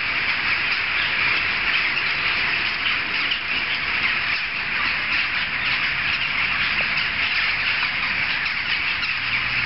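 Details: Mass of jackdaws heard from streets away, calling without pause; short, overlapping chattering notes blend into a steady, bright din.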